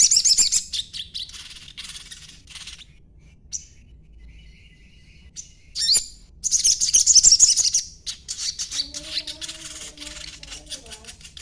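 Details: Chattering of a young sogon, meant as a lure to draw replies from other birds: long runs of high, buzzy, rapid notes broken by short pauses, with a loud burst in the middle and softer twittering at the end.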